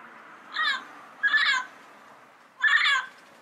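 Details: Three separate harsh, buzzy squawks from a yellow-headed parrot in the wild, spaced about a second apart, over faint low background noise.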